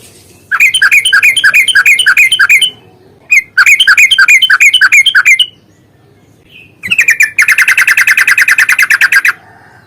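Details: Yellow-vented bulbul delivering a long rapid-trill fighting song meant to provoke singing. Fast chattering bursts of slurred notes run for two seconds each, broken by short gaps, ending in a dense, buzzy rattle.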